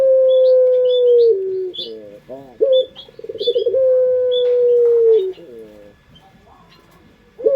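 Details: Barbary dove, the local Indonesian melodious pelung kind, used as a lure. Its drawn-out coos hold a low pitch for several seconds and drop at the end, linked by quick wavering trills. Scattered high chirps of small birds repeat throughout.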